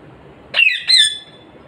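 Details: Fifteen-year-old pet parrot talking sweetly indoors, giving two clipped, harsh, harmonic-rich syllables about a third of a second apart, the second longer and sliding slightly downward, against a quiet room background.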